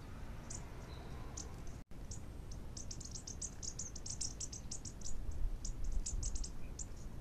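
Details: Bushtits feeding on the ground give high, thin, short calls in quick scattered bursts, often several close together, over steady low rumbling background noise.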